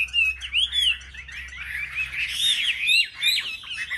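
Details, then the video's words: Chinese hwamei singing in competition with other chosen market birds: clear, bright slurred whistles and quick warbled flourishes, loud and varied, with short pauses between phrases. "Họa mi hót đấu"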